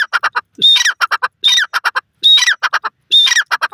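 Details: Grey francolin, the local partridge called dasi tetar: loud, harsh grating bursts, each with a thin high whistled note, followed by three or four short clipped notes, the phrase repeated about every 0.85 seconds with no other sounds.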